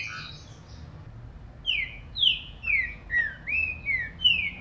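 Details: Song of a green-winged saltator, used to stimulate a captive bird: after a faint start, six loud whistled notes follow, mostly sweeping downward and one rising, against steady background hiss.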